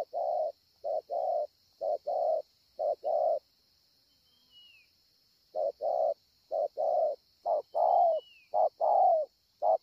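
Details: Spotted dove recorded at Ngọc Hồi, Vietnam, 25 March 2020: a run of paired low coos, a gap of about two seconds, then more coos that become longer and slightly wavering. Faint whistles and a steady high hiss sit in the background.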